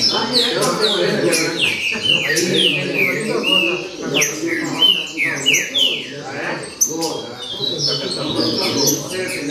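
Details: Green-winged saltator giving baderna song: a long sequence of clear downward-sliding whistles, fast and continuous, ending with a brief pause and a few scattered notes, over a steady low background murmur.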